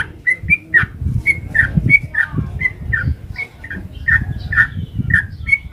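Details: Sooty-headed bulbul, long 'ropel' lure song: clear short whistles with a few downslurred notes, steady rapid repetition, over strong low-pitched rumbling noise.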